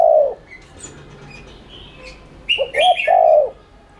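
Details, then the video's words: Spotted dove cooing in the continuous 'thúc' lure style to set off other doves: the tail of one long coo, a quiet pause with faint bird chirps, then a full phrase of stuttered notes and a long mellow coo overlapped by a high twitter. "Cu gáy THÚC Liên Thanh kích bổi,mồi ức chế nhanh gáy/kích bổi nhanh nổi"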